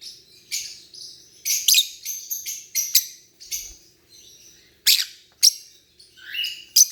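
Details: Chirping lovebirds give scattered sharp high chirps and rasping buzzes, spaced irregularly with short quiet gaps between bursts.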